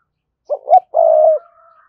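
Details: Cooing spotted dove calling a wild rival: two quick stuttered notes then one drawn-out, even croo lasting about half a second, followed by a faint higher trailing tone.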